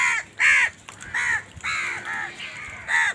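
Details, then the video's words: Crows in a village give repeated hoarse caws, about seven in three seconds, each a rough downward-arching note, over a faint background hiss. "crows sound in my village"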